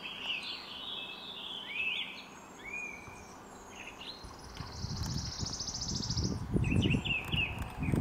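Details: Red-crested cotinga recorded in April 2023 at Laguna Corani in Cochabamba, Bolivia, giving one long rasping, pulsed buzz midway. Before and after it come sweeping whistles and chirps of other birds, with low rumbling noise toward the end.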